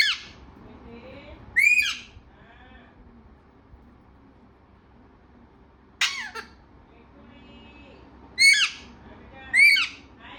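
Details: Chatty parrot giving scattered shrill, sweeping word-like calls, a few seconds apart, separated by near silence in a quiet indoor setting.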